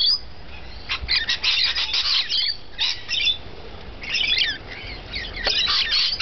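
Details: Rainbow lorikeets feeding, giving harsh, screechy bursts of chatter in bouts, pausing briefly between clusters of rasping squawks.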